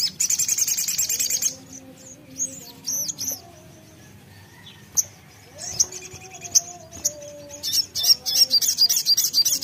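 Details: Ruby-cheeked sunbird lure song, lively and vigorous: bursts of very high, thin, rapid chirps and twitters, repeated in quick runs, over fainter lower tonal sounds in the background.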